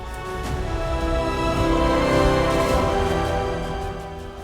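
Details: Sustained instrumental music with steady tones and a low pulsing beat; no animal voices.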